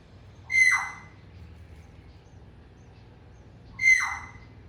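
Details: Eurasian tree sparrow nest, apparently with one chick, tucked behind a bamboo blind at a house in Bali during the rainy season, late October to early November; two loud, harsh chirps about three seconds apart, each bright and dropping in pitch, over quiet background.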